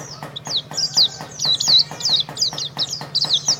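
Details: Champion contest Oriental white-eye (pleci) of the jetboy type, singing a fast, continuous run of high, sharp twittering notes and slurred whistles with no pauses, over a steady low hum.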